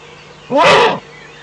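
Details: Eurasian eagle-owl at its nest in the Eifel, 17 May 2013 around 05:40 at dawn, an adult visiting off camera; a single loud, harsh, rasping call about half a second long, with small birds twittering faintly behind.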